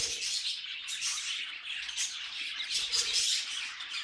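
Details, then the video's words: Budgerigars singing, a thick continuous chatter of high squeaks, trills and faint whistled notes, swelling and easing gently in loudness. "Budgies Singing and Being Cute"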